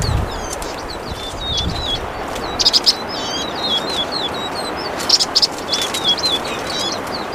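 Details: Vinous-throated parrotbill (subspecies bulomachus) heard singing in a busy stream of high, squeaky twitters and slurred chips, punctuated twice by short bursts of louder sharp notes, with light background hiss.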